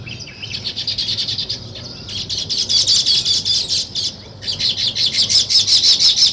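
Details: Nest-building weaver birds chattering in fast, harsh, high chirps at roughly three per second, in bursts broken by short pauses, with many birds calling together.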